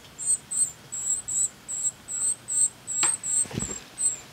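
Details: Northern cardinal nestlings in the nest beg for food as the female brings it, giving thin, very high, hissy begging notes in quick pairs, about three per second, with a couple of soft rustling thumps.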